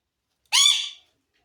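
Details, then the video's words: Pet parrot giving a single short, harsh squawk that rises slightly and fades, in a quiet room. "parrot Chirping Sound"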